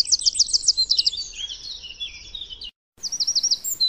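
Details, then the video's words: Eurasian wren, a wild bird, opening with a loud run of sharp repeated notes that slides into a tumbling high warble. A brief silent break comes before another rapid trilled phrase. "chants et cris du troglodyte mignon- HD/ calls and songs european wren"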